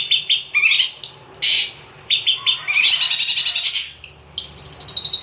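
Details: A long-tailed shrike singing in full voice, recorded for training songbirds, gives varied short high phrases: bright slurred notes, a brief buzzy stretch, a pause, then quick chirps resuming.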